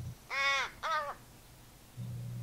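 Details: A fledgling American Crow at a backyard feeder in the western United States, in late spring or summer, gives two loud, nasal, slightly arched begging caws in quick succession, then falls quiet apart from a soft low murmur.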